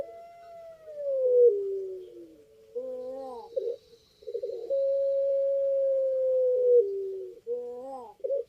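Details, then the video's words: Puter pelung, a Barbary dove, cooing: a falling opening coo, a wavering throaty phrase, then a long steady sustained coo of about two seconds that drops a step at the close, followed by a brief tremulous note. "Suara Puter Pelung Ter Merdu"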